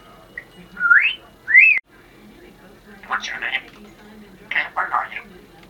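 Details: Indoors, a female pet Congo African grey parrot offers New Year wishes: two loud rising whistles, then a pause and two short bursts of raspy, speech-like chatter, over a faint background hum.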